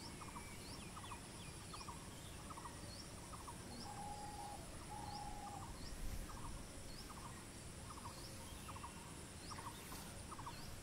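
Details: Bronze-winged jacana (jol pipi) wandering and feeding. It gives series of quick, stuttered note clusters, with two longer level whistled notes midway. High upswept chirps from other birds and constant low hiss run through the background.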